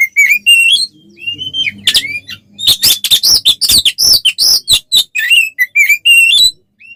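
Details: Combative song of an oriental magpie-robin, meant to rouse other birds to anger: sweet rising and falling whistles open and close a dense run of harsh, rattling, scratchy notes, with a faint low hum behind.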